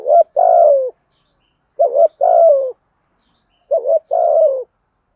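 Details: Spotted dove used as a decoy to lure and stimulate other doves, a 'thổ sấm' voice style; three phrases roughly two seconds apart, each a short wavering coo then a longer, lower, slightly falling coo, on a silent background.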